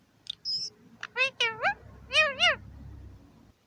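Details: Male Indian ring-necked parakeet in a home aviary on New Year's Day 2021, talking to himself: a short whistle followed by several rising and falling squawked, speech-like syllables, in a quiet room.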